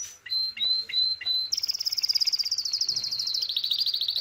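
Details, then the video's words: Male canary singing for mating, said to respond to a female's call: a few clear steady whistles, then a long fast rolling trill that slides slightly lower toward the end. "اجمل تغريد لكناري نار للتزاوج"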